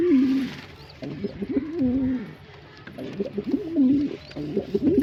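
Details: Male pigeon producing soft, rolling coos in three clusters, each a wavering low phrase that dips and rises, with quieter pauses between clusters.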